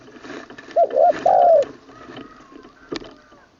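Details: Caged spotted dove from Thailand's Isan region being trained as a decoy bird, singing in the 'khan long kuk' style with a full middle voice: one phrase of two short coos and a longer drawn-out coo, then faint background noise and a sharp click.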